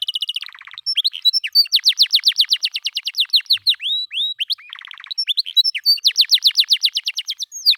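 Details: Canary master song played to train pet canaries to sing readily: clear, loud rapid trills of repeated down-slurred whistled notes, fast rolling phrases alternating with buzzier rattles, strong and bright throughout.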